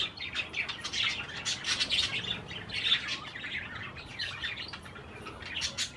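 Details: Parakeets feeding on cherry tomatoes keep up a continuous scratchy warbling chatter of rapid chirps, louder in the first half and softer later.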